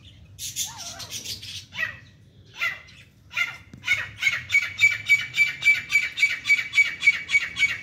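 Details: Female grey francolin fighting with chicks: scattered harsh notes, then a fast, even series of sharp, squeaky calls, about three to four per second, holding a steady pitch to the end.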